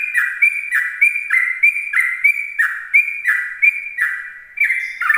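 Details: Morning 'ropel' song of a sooty-headed bulbul, meant to draw in other bulbuls: fast chains of short, liquid two-part notes, each a high clear tone dropping to a lower burbling one, about three per second.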